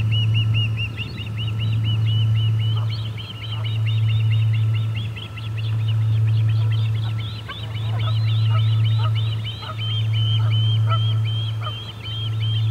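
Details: Ospreys calling at the Charlo nest on 8 August 2020 after a parent arrives without fish: long unbroken stream of piercing, whistled chirps, growing busier and more excited midway, over a low droning hum that swells and fades.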